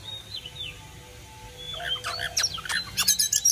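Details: Oriental magpie-robin singing to welcome summer: a few soft, thin whistled slurs come first, then a burst of bright, loud chirps and quick trilled notes that grows in the final second.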